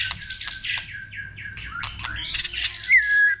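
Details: White-rumped shama in multi-voiced song aimed at stirring other shamas to sing: dense warbled and buzzy phrases with mixed whistles, ending on a steady held whistle.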